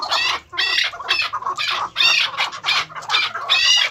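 A female chukar partridge gives a rapid series of harsh, raspy chattering notes, about two bursts per second, loud and continuous.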